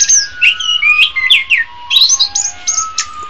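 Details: Quick medley from an orange-headed thrush (anis kembang): slurred whistles and twisting notes, some rising and some falling, packed closely together, with a faint steady tone running underneath.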